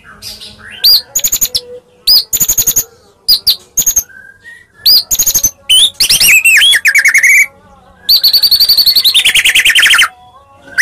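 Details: Fighting song of a white-rumped shama from Medan: short bright whistled bursts, a tangle of slurred warbling notes, then a long grating trill that falls slowly in pitch.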